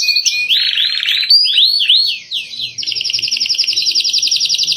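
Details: Canary performing an elaborate song for training captive birds: swooping rising-and-falling whistled notes, a looping series of curved phrases, then a rapid, even buzzy trill.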